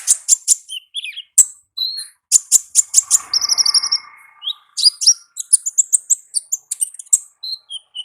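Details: Olive-backed sunbird in the wild singing ngalas style: quick runs of piercing high tsip notes, a short buzzy rattling trill midway, then dense twittering chips to the end.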